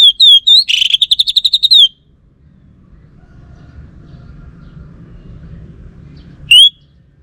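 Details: Orange-headed thrush singing a fast burst of loud whistled notes, a short wavering phrase followed by a rapid run of repeated chirps, then a long pause with faint rumble before one more whistle.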